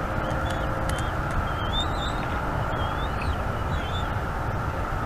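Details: Young bald eagle at a nest in North East Florida, filmed by eagle cam on 17 March 2021, begging for food. Several short, thin whistled chirps, some slurred upward, are scattered through steady broadband wind noise.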